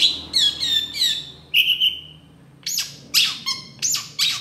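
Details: Long-tailed shrike singing gacor tembakan for masteran use: rich, rippling nasal phrases, a long fading whistle, a pause, then loud, looping, upslurred notes repeated about every half second.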